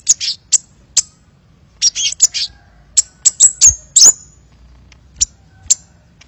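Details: Kolibri (sunbird) lure recording of a bird described as singing vigorously: sharp, high, thin chirps in short bursts and scattered single notes, with brief gaps and faint low background rumble.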